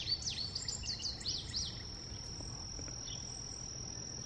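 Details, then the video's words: Bright high phrase from an indigo bunting: a rapid series of sharply falling and rising whistled notes over about one and a half seconds, then only a steady high-pitched whine and soft background noise. "Indigo Bunting ---sounds"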